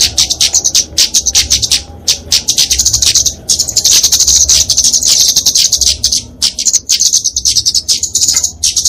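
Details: Kemade flowerpecker, genus Dicaeum, singing its fighting song for tutoring and luring small songbirds; shrill high-pitched chatter and buzzy trills in long unbroken runs broken by short pauses near two and six seconds.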